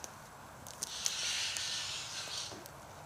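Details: Broad, breathy hissing rasps from a large flock of white-winged choughs, some 60 or 70 birds fresh from eating a kangaroo, run almost unbroken, with a few sharp clicks at the start.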